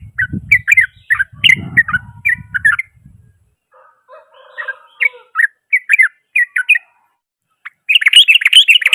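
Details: Yellow-vented bulbul in full, loud 'ropel kasar' rough rapid song meant to provoke other bulbuls: bubbly, clipped phrases repeated in quick bursts, low thuds early on, a short gap, then a dense buzzy chatter at the end.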